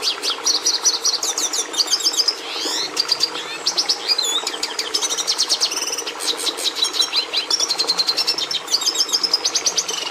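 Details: Red siskin (Carduelis cucullata) giving a long, energetic song of rapid high twitters, rattling trills, buzzy sweeps and whistled notes, almost unbroken for ten seconds.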